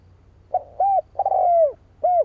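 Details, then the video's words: A spotted dove's coo used to attract rival doves: a quick soft note, a rounded coo, a long coo drooping at the end, and a last rounded coo, with a faint low hum underneath. "Tiếng chim cu gáy kích bổi"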